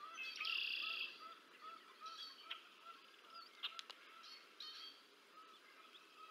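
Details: Feeding of two bald eagle chicks on the Decorah North nest, 30 March 2024: a loud high squealing burst at the start, then soft repeated lower chirps and scattered high peeps.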